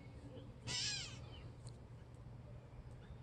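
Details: A gray catbird at a feeder gives a single harsh, nasal, half-second call, then falls silent; a low steady hum and a few faint ticks sit underneath.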